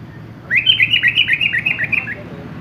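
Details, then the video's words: Sooty-headed bulbul in full varied song gives a quick run of about a dozen bright, chirpy notes, rising and falling over under two seconds, over a low hum. "KUTILANG GACOR"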